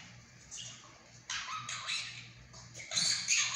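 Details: Talking pet monk parakeet at home; a quiet start gives way to loud, rough, breathy speech-like bursts that grow harsher toward the end, with a low electrical hum in the room.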